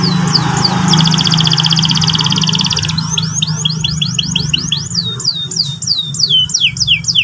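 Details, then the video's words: Morning canary song in the ngeriwik-ngerol style. A very fast, dense high roll lasts about two seconds, then gives way to a string of separate down-swept whistled notes, with a steady low hum below. "pancingan burung kenari pagi hari terapi paud cepat bunyi ngeriwik ngerol"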